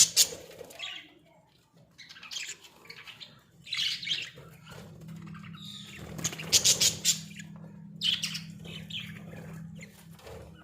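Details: Pet Australian budgies in a small cage give scattered bursts of high, scratchy chirps and chatter separated by short pauses, over a faint constant low hum.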